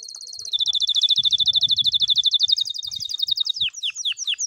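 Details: Canary song for training young canaries that do not sing: a loud, rapid trill of bright repeated notes at one high pitch, ending in a few slower, downward-sweeping whistles.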